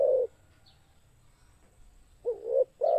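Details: Spotted dove, used as a lure for trapping, giving low mellow coos: one at the start, then after a quiet pause a wavering coo followed quickly by another.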